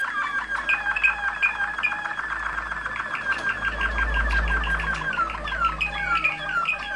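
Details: Waterslager canary of champion ancestry, Kumanovo, Macedonia: quick repeated whistled notes and falling slurs over a rolling trill, with a low background hum underneath.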